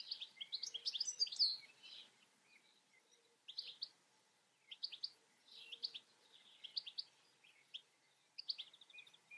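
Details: European goldfinch delivering an opening burst of liquid twittering, then a sequence of brief chirpy phrases separated by short pauses.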